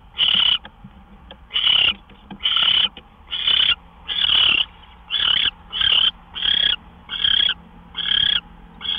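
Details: Gopher deliveries at an owl nest around 12:10 AM on March 26, 2013. A rapid run of harsh, hissing screeches, about one per second, grows steadier and more evenly spaced toward the end.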